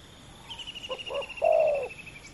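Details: Two male spotted doves competing in a ground-luring contest. Two soft, short low coos are followed by a loud, drawn-out falling croon. A steady high insect trill pulses behind them.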